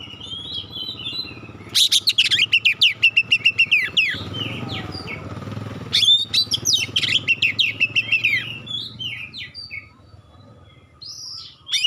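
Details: Magpie-robin sharp, clear provoking song: a fast even series of ringing notes, a pause with a passing engine-like rumble, then another rapid run of bright notes and scattered whistles, with steady background hum.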